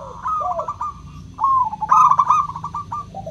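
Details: Zebra dove, a local perkutut with a crystal-clear voice, singing as a lure to stir reluctant doves into song: a short bubbly trill, a pause, then a louder rolling trill of quick purring notes near one pitch.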